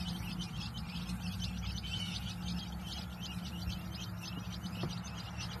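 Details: Young quail chicks, three days old, give busy bursts of high, thin chirps, many overlapping in quick runs with a short lull midway, above a steady low humming background.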